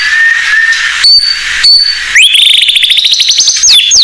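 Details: Lure song of a blorok white-rumped shama for untrained birds. Level whistled tones with short high pips, then a steady rising trill of quick even notes and two downward-sweeping whistles.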